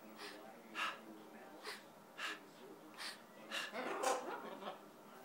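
A scarlet macaw talks in short, hoarse, speech-like bursts about every half second to a second, with a person speaking nearby.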